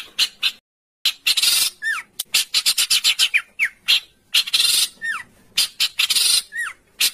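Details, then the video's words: Harsh 'besetan kasar' style song from a songbird training recording for pet and contest birds: loud grating bursts alternate with short clipped notes and several drooping, slurred whistles. "MASTERAN BESETAN KASAR|| Bringas Kasar suara BESETAN kasar"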